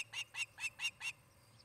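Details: At a Montana nest in Charlo, an osprey of the resident pair gives five sharp, whistled, high cheeps, each about a fifth of a second apart, then falls silent; camera recording from 17 August 2018, early afternoon, faint hum beneath.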